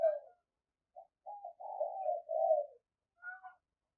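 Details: Soft, muffled coo series from a spotted dove kept as a decoy, several short notes running into longer rolling coos. A faint higher chirp follows near the end.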